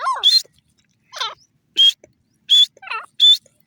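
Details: Grey francolin call of short, shrill, high notes alternating with lower, wavering, rasping phrases, about one note per second.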